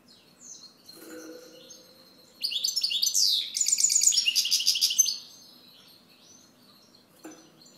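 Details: European goldfinch giving soft introductory chirps, then an energetic phrase of quick, high tinkling twitters and rattling trills for nearly three seconds, ending in faint scattered notes and a short click.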